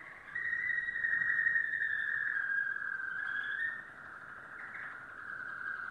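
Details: Domestic canary, yellow, holding a long smooth rolling trill at an even mid-high pitch for several seconds, slightly softer in the last part.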